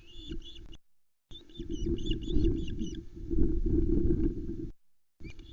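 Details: Osprey chicks on the Loch Arkaig nest, 19 July 2020, as an adult arrives with a whole trout. Short runs of high, rapid chirps, then softer ones, over strong low wind buffeting.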